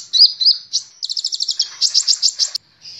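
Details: A sunbird, recorded as a training lure to get other captive sunbirds singing, sings a high, thin twittering run of quick chirps and rapid buzzy trills, tumbling along without pause in a bright, scratchy stream.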